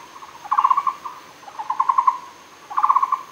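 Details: Muller's barbet recorded at Fushan: three bursts of rapid, hollow pulsed notes, each cluster of about five to six beats, coming roughly every second, over a faint steady high whine.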